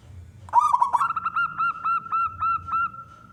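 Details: Zebra dove of local wild stock, a loud and steady singer, calling so that other doves start singing. A quick rolling burst of coos is followed by about eight evenly spaced, clipped hooting notes held at the same pitch.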